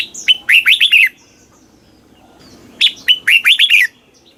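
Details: Red-whiskered bulbul from Thailand singing southern master style, used to stimulate caged birds: two matching phrases, each a sharp note then four quick bouncing whistles dropping in pitch, about two and a half seconds apart.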